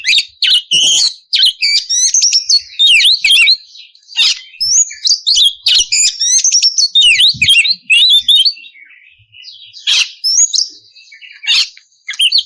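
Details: Oriental magpie-robin in full, steady song, played to draw rivals into answering; rapid bursts of high, sharp, twisting notes in tight clusters with brief pauses between phrases.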